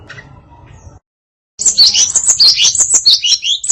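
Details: Female hill blue flycatcher (tledekan) singing a varied song: after a quiet opening second and a short gap, a dense run of high, quick chirps and slurred notes fills the rest.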